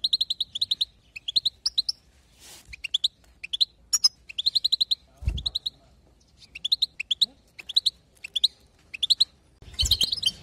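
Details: European goldfinch, 2022, sound meant to excite other goldfinches. Short clusters of three to six sharp, high tinkling notes come in quick bursts, split by brief silences, with a couple of soft thumps.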